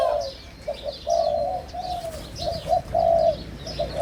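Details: A crossbred young Spotted Dove, about five months old and from a first clutch, now in an excitable calling phase, gives a run of mellow, mid-pitched coos, some short and some drawn out, with thin high chirps from other small birds behind.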